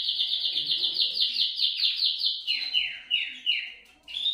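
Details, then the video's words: Canary song: a fast, even, rolling trill of high repeated notes. It shifts into slower, downward-sweeping whistled phrases, then ends with a brief bright flourish. "CANTO CANARIOS"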